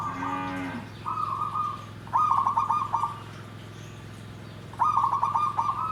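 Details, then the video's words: Perkutut, or zebra dove, singing in the nggandem gedhe garing style. A brief low nasal note opens, then three rolling, stuttered coo phrases about a second long, with pauses between them, over constant low hum. "SUARA PERKUTUT GENDOWO SABDO || NGGANDEM GEDHE GARING"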